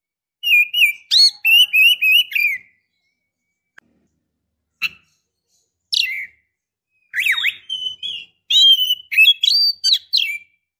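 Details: White-rumped shama female calling a male while in breeding condition: a run of evenly repeated whistled notes, scattered clicks, then varied swooping and rising whistles in a fast cluster.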